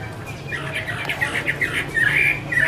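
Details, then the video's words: Female Chinese hwamei singing in the 'mái te' style while a male sings in the background: rough, squawky notes cluster in a busy stream, rising into brighter, clearer whistled fragments toward the end over a low steady hum. "Chim hoạ mi: Mái te đỉnh cao của năm _ có chim trống làm nền"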